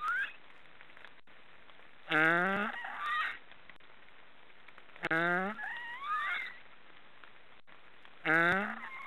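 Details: Snoring black storks: three loud, rising, nasal honks spaced roughly three seconds apart. Each trails into a rough, gurgling rasp with wavering higher tones.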